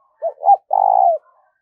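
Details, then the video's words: Spotted dove call used for stimulating decoy birds, a soft low hoot and a louder rounded note followed by a drawn-out vibrating coo that slides downward, with a faint trailing murmur afterward. "tiếng chim cu gáy thúc và gáy gọi dùng kích bổi tập mổi rất hiệu quả"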